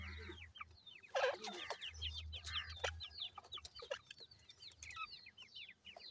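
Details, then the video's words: Grey francolin chicks calling while playing: many quick, thin, falling peeps overlapping in a continuous stream, with a brief louder burst and a low humming background. "goray teetar kay goray bachay in the playing,chicks voice"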